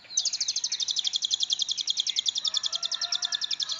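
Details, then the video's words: Long-tailed shrike singing, praised for varied mimicry and used to train magpie-robins: a long rapid series of high buzzy rattling notes, quite steady, over faint background noise and a low hum. "Pentet istimewa.... isian oke banget. pas buat masteran burung murai."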